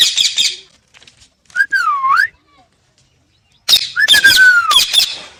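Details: Pet parrot giving harsh broadband squawks, then a clear whistled phrase that dips and rises, followed by more squawks and a long descending whistle.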